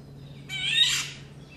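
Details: Female Indian golden oriole (Oriolus kundoo) call: a single harsh, nasal screech lasting about half a second, over a faint low hum.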